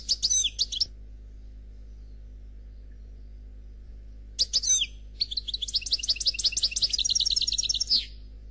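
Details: European goldfinch Noir's khalwi song without faults: a brief sharp twittering phrase, silence of several seconds, then a long run of rapid tinkling, repeated trilled notes at high pitch.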